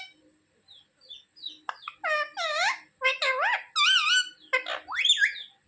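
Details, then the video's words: Pet parrot talking, said to ask its mummy for roti; a run of squeaky, bending syllables in human speech rhythm, rising and falling in pitch, with short pauses between words, quiet room. "Parrot talking mummy mithu ko roti do"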